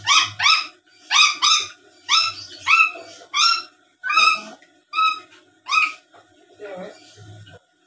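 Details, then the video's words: Black-capped lory calling as a lure for other birds: a rapid run of about a dozen loud, harmonic, rising squawks, some paired, spaced roughly half a second apart, fading into quieter chatter, with brief low hum. "Suara Asli Burung Nuri Paltem Gacor Pintar Ngomong dan Ngoceh² Buat Pancingan"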